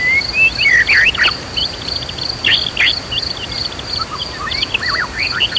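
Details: White-rumped shama in agitated, emotional singing meant to rouse other shamas to fight and sing loudly; bursts of sharp rising and falling whistles and quick chirps over a steady high insect-like drone and a faint rushing background.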